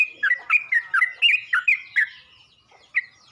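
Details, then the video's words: Yellow-vented bulbul calling other bulbuls with a quick burst of liquid, up-and-down chirps, a brief pause, then two more bright notes. "Burung trucuk ini pandai memangil burung trucuk lain"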